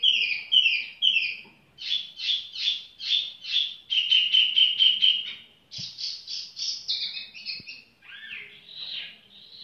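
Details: Rhythmic tiểu mi song: loud slurred notes repeated roughly every half second, a fast stuttering series, then sharper chirps and twisting phrases, with faint low hum behind.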